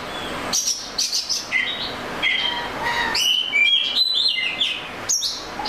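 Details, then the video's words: Oriental magpie-robin singing a varied run of short whistles, chirps and trills that jump between high and middle pitch, the phrases coming quickly and unevenly over a light background hiss. "The Melodic Tunes of the Oriental Magpie Robin Bird"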